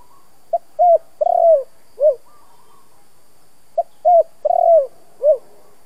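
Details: Spotted dove, 'thổ' voice style, recorded as a lure to stir rival doves: two matching phrases about three seconds apart, each a short hoot, a rising coo, a long rolling coo and a falling final note.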